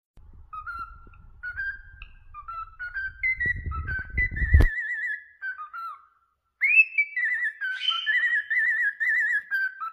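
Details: A cockatiel whistles the James Bond theme, a learned tune in clear, stepped notes with warbling trills.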